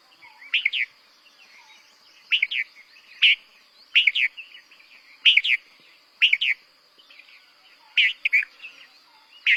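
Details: Red-vented Bulbul (Pycnonotus cafer) in Bengal singing its song: short, bright, bubbly phrases of two or three notes, repeated about every one to two seconds, over a steady high insect hum.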